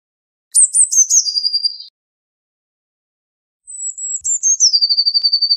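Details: Two song phrases from a Eurasian blue tit, each starting with thin high notes and sliding down into a rapid, slightly lower trill; the second phrase opens with a long drawn-out whistle before its quick rattle.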